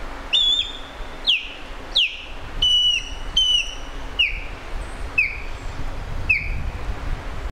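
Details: Osprey calling: a series of about ten short clear whistled notes, each sliding sharply downward then levelling, spaced under a second apart, some slightly longer and flatter, with faint low background rumble.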